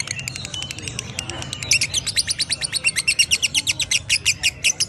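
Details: Lovebird giving ngekek chatter. Soft, scattered high chirps build into a long run of quick, loud, evenly spaced shrill notes that continues to the end.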